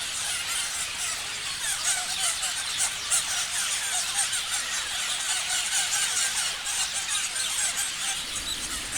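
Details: A crowd of parrots chirping, with high squeaks and quick chirps repeated rapidly and irregularly in a dense, continuous chatter.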